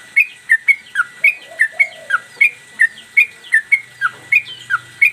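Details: Caged yellow-vented bulbul singing persistently in the mbandul Garuda style while flicking its tail, recorded as a master for training cage birds: bright whistled notes near two pitches, alternating high and dipping, repeated about three per second, with a steady tone beneath.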